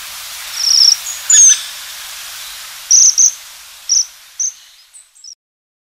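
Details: Japanese waxwing, breeding in eastern Siberia, Sakhalin and northeastern China, wintering in Japan, Korea and eastern China: high sibilant trilled notes, several short bursts in quick succession over constant hiss, ending in silence.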